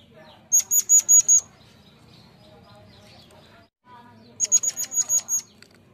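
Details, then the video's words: Lure recording of Murai Air forktail with two short runs of sharp, high, evenly spaced pulsed whistles, each run about a second long and separated by a quiet pause. "Ocehan burung Murai Air"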